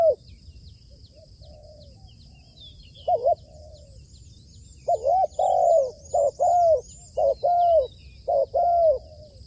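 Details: Trained decoy spotted dove for trapping: a soft opening coo, then a fast run of loud, rolling, hoarse coos in close succession, with faint high bird twitters and a constant insect hum.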